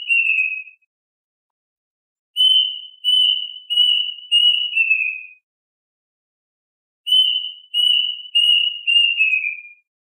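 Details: Plaintive Cuckoo song used to call the flock: repeated phrases of four level, pure whistles ending in a falling note, separated by pauses of about two to three seconds, on a clean background.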